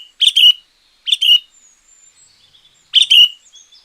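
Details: Sooty-headed bulbul champion song used as a lure or tutor: three loud, rich, gurgling chirped phrases, each about a third of a second, separated by pauses with faint whistles between.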